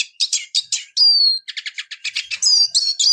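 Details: Eurasian siskin (Spinus spinus) singing: quick bursts of high twittering notes, a drawn-out thin whistle that slides downward, then a fast chattering run ending in short rising whistled phrases.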